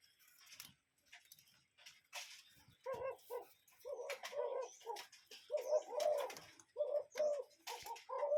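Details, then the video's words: Cuckoo in nature calling a rapid run of hollow two-note phrases that grow louder and closer together over several seconds, with scattered clicks and rustles. "Relaxing Cuckoo Bird Sound in Nature"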